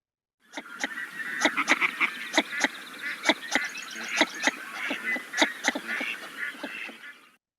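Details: Northern Shoveler giving its chatty "souk" call, often given in flight: a rapid series of short, hollow notes about four per second, with some overlapping duck chatter.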